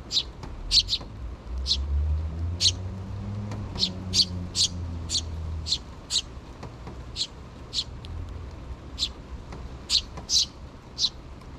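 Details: Sparrow nestlings, a pair of chicks, begging their parent birds for food: repeated short high chirps, some in quick pairs, with a low rumbling engine-like noise in the middle section.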